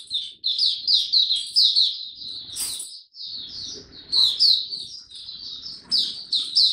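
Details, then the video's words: Male white-eye with maturing song, recorded 9 February 2022: rapid, high chattering warble of tumbling chirps in two phrases, with a short break and a sharp noise between them. "Mata Puteh Dagger Video 1 buka sing tiong aw studying his progress n maturing"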